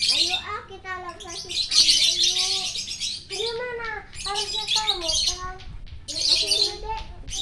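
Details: Lovebird singing energetically at sunrise in Parahyangan Village, Jatihandap, Bandung; loud, busy twittering of quick squeaky notes in stacked tones, punctuated by three long harsh screechy bursts.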